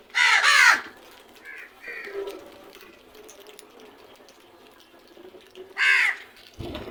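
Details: Loud crow caws: a single hoarse, harsh caw opens, followed by a quieter stretch with faint softer calls and background hum, then another strong raspy caw near the end.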